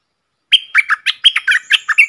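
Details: Red-whiskered bulbul in the wild, coming in to answer a caged decoy: a quick run of about nine bright, bubbling whistled notes, each slurred and chirpy, delivered in under two seconds.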